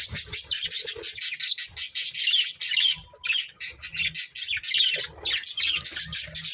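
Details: Pet budgerigars of a family flock chatter in rapid pulsed chirps and squawky notes, a quick rhythmic run of short bursts with one brief lull near three seconds.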